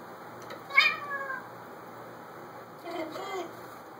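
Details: African grey parrot, alone in a room indoors, imitating a cat's meow: a wavering nasal meow-like phrase, then after a pause a second shorter meow, over low room hiss.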